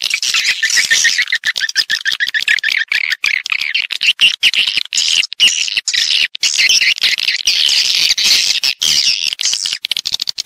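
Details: Swiftlets recorded in stereo giving calling and roosting sounds: fast, rippling series of falling chirps, then thick, buzzy twittering that continues almost without pause.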